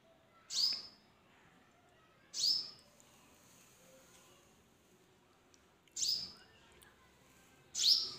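Purple Sunbird giving four sharp, high, thin call notes, spaced irregularly about two seconds apart, over quiet background hiss.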